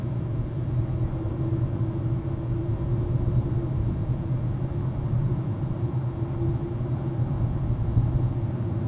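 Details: A constant deep rumble of traffic or engines fills the whole recording, and no animal calls stand out.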